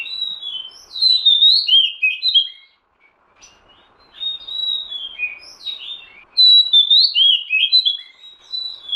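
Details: Lure recording of an Oriental magpie-robin giving rich whistled phrases, rising and falling slurs in quick succession, with a brief gap midway and faint background hiss.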